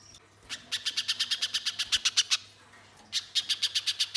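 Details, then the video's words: {'caption': 'Lure song of a spiderhunter: energetic strings of sharp, high chips, about five a second, a short pause near the middle, then the rapid chipping picks up again.'} "Pijantung Pisang Gacor‼️Pancingan Pijantung Bahan Agar Langsung Bunyi Mbeset Nembak"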